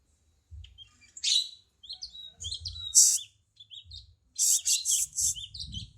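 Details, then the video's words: Cucak cungkok bulbul sung as songbird tutoring material: scattered sharp high chirps and whistled twists, then a fast burst of loud pulsed notes near the end, over a quiet low rumble. "Cungko masteran burung kicau"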